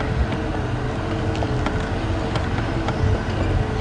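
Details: A steady low rumble of a vehicle engine with faint rattles and knocks fills the whole stretch during a sunset safari drive, with no animal calls heard.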